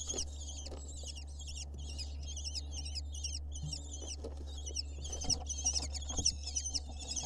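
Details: Nestling lesser kestrels on a live nest camera in Israel beg while the male delivers an insect: repeated scratchy, chittering calls about twice a second, with a constant low hum underneath.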